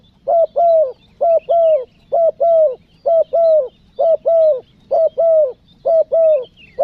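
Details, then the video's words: Spotted dove calling to lure wild doves, given as a steady rhythmic series. About eight paired, hollow, low coos repeat roughly once a second, each a short note then a longer one, with faint chirps in the background. "SUARA TEKUKUR PESOM MANGGIL, NEKAN NGUKU"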